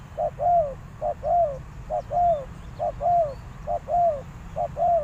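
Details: Rhythmic coos from a spotted dove kept as a lure for wild birds, about six paired phrases with a clipped first note and a longer descending second, very regular.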